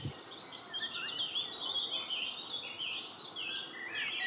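A European robin gives a run of high, thin, liquid warbled phrases, tumbling quickly up and down without pause, over a soft background hiss.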